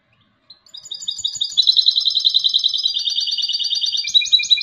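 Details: European goldfinch hybrid (mixto de jilguero) singing: a fast, bright twittering run of tightly repeated high notes that begins after a brief silence and builds steadily in loudness, shifting pitch partway through. No other sounds are heard.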